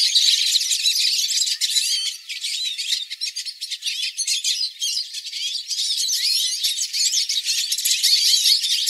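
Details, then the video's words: Songs of a flock of hooded siskins, used to train pet birds: a continuous, busy chatter of high twitters, slurred whistles and rattling trills, with short dips in loudness. "Melhores Cantos para seu Pintassilgo"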